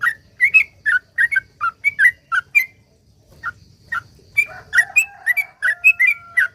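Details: Yellow-vented bulbul singing energetically in long phrases, a lure to start other bulbuls singing; quick chirpy whistles, a short lull, then overlapping notes joined by a faint steady tone in the background.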